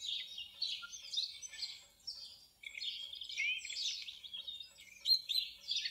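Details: Common blackbird (Turdus merula) song heard at a distance, a quiet jumble of varied twittering and squeaky phrases with short gaps between them.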